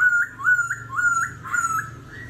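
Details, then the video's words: A laughingthrush in competitive singing, continuously switching phrases in a wild-type song. It gives clear mid-pitched whistles, each a held note ending in an upward slur, repeated about twice a second over a faint low hum. "Khướu hót giọng rừng - hót đấu - đảo giọng liên tục"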